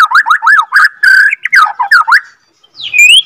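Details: Borneo white-rumped shama, F2 captive-bred, singing looping, warbled whistles that bend up and down in quick succession, then a short pause and a bright rising whistle.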